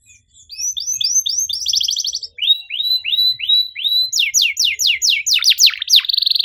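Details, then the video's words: Canary's 'cuit cuit' stimulating song: a run of rising whistles into a short rapid trill, followed by repeated falling sweeps and a final fast trill. "PANCINGAN KENARI MACET GACOR NEMBAK RAPAT CUIT CUIT"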